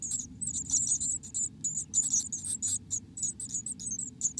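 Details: Black-capped chickadee in its nest: a busy stream of sharp, very high, squeaking chips in quick uneven bursts, nearly unbroken throughout, with a soft low hum underneath.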